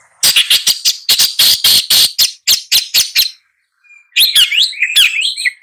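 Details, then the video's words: Long-tailed shrike giving a fast run of about a dozen harsh, rasping notes, then a short silence and a twisting, warbled phrase of whistles and chatter. "Long-tailed Shrike Bird Song, Sound, Call, Chirp, Melody"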